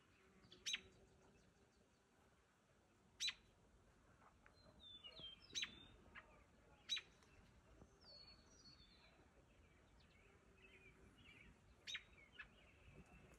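A robin gives sharp, clicking tick calls every two to three seconds, with faint, thin, high twittering notes between them against a quiet background.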